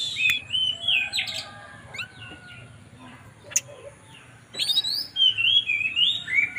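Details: Relaxed flute-like song of a caged mountain tailorbird from Purworejo, Central Java, calling a female: quick warbled whistles at the start, a quieter gap with clicks, then rising and falling whistled phrases.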